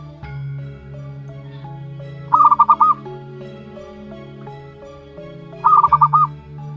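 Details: Zebra dove chick, one month old, local wild stock. It gives two short bursts of quick, warbling coo notes in the mid range, several seconds apart, over steady background music.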